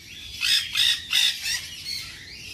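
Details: Three quick grating squawks, then a fainter trailing rasp, from a tame-sized ringed baby nanday conure at a pet shop in Bangabazar market.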